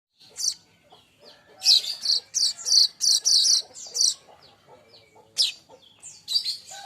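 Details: Young streaked weaver singing vigorously, kept as a master tutor for training songbirds: bursts of dry, buzzy, high chattering notes in a rapid uneven series, a short pause, then more harsh chatter.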